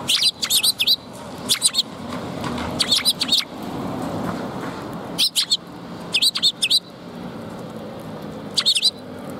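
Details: Sparrows at a Tenmangu shrine on 2 March 2021, giving clusters of two to four sharp, high chirps every second or two, against a low rumbling ambient background.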